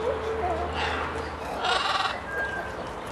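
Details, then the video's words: Talkative parrot vocalizing, able to mimic a murloc sound: a bleating, wavering call with a stronger harsh burst in the middle, then a softer trailing sound, over a low steady hum. "Talkative Parrot (Makes murloc sound near end)"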